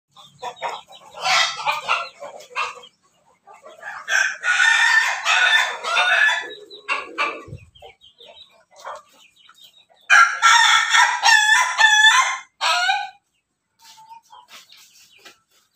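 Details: Pelung chicken crossed with Bangkok chicken, basking in the morning sun, crowing: three harmonic, rasping crows of about two to three seconds each, with short clucks and breaks of quiet between them.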